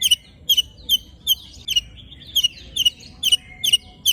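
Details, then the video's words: White-rumped shama with harsh 'besetan' filler used to provoke other shamas: sharp, high, clipped notes repeated roughly every half second, some with faint buzzy tails. "Tembakan Dan Besetan Murai Batu Isian Kasar Ampuh Memancing Emosi Murai Batu - Shama Bird"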